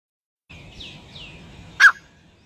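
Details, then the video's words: A partridge chick gives faint, thin descending whistles, then one loud, sharp peep, over low background noise. "Partridge | Baby kid of Partridge | Birds sound"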